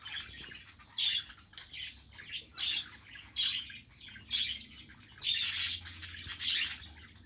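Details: Domestic budgerigar chattering in a run of short raspy chirps and squeaks, spaced roughly once a second, ending with a louder, denser burst of scratchy notes; faint low hum in the background.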